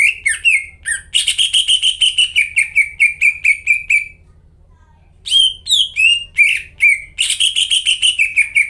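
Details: Greater green leafbird in vigorous song, played to make caged leafbirds sing again: bright slurred whistles and a rapid buzzy trill, a silent pause of about a second, then more varied whistles and trills.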